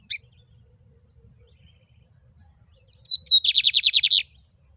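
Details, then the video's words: Miro-type song of a lined seedeater, sung 'na baixa': a brief opening chip, a pause, then four thin descending whistles leading into a fast trill of roughly nine harsh buzzy notes. "Bigodinho de Miro cantando na baixa!"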